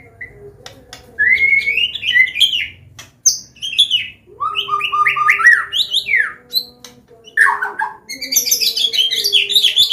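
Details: White-rumped shama of the Medan type, a combination song for tutoring young birds: rich, rapid sequences of rising whistles, stepped sweeping notes and dense high twittering trills, continuing almost without pause.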